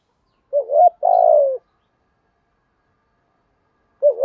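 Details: Spotted dove decoy in 'giọng thổ' style cooing to school a newly kept bird: a single low two-note coo, a short rise then a long tremulous falling note, then silence before the next phrase begins.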